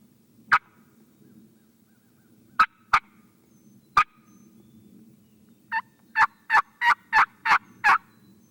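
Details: A wild turkey in Tennessee on a spring morning at first light, near a river-bounded property, gives sharp, clipped notes: a few spaced singles, then a quick run of seven at about three per second, over a low steady hum.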